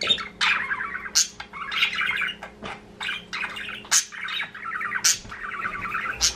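A budgerigar chatters in rapid, scratchy warbles broken by sharp high chirps.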